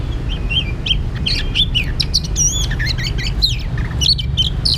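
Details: Oriental magpie-robin at a trapping site singing a lively, varied phrase of clear whistles, looping slurs and sharp chips, with short pauses between bursts and constant low background rumble.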